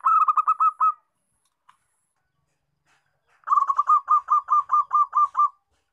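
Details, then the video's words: Local zebra dove song: a quick burst of short, clipped cooing notes around one pitch, a pause of over two seconds, then a longer run of about ten staccato notes. "MACAM - MACAM BUNYI PERKUTUT"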